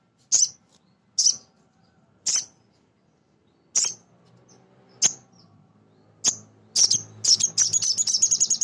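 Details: High, piercing single chirps from a male sogon sunbird, played to provoke other birds to sing. Notes come at uneven intervals of one to one and a half seconds, then speed up into a quick chattering series.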